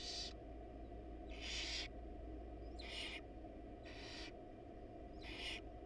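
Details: Wild barn owls in a nest box, male dropping off a rat with the female absent; five rough hissing bursts, each near half a second, spaced about one second apart, above a steady low drone.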